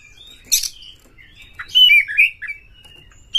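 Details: Oriental magpie-robin lure song meant to rouse caged magpie-robins into tail-spreading display: a short burst of sweet, clear whistles and sharp chirps, high and varied, with quick slurred notes between brief pauses.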